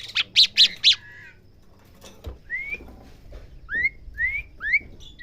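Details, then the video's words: Asian pied starling being trained to learn sounds: three loud, rapid buzzy notes open, then a pause and a series of soft, rising whistled slurs. "Melatih jalak suren belajar bunyi"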